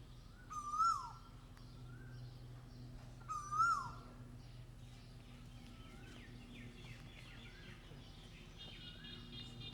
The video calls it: koel bird sound